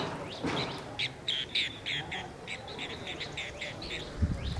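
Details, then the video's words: Asian green bee-eater giving a rapid series of short, high, chirping trill notes, repeated several times a second in bursts, with some low rumbling noise in the background. "Asian green bee-eater sounds"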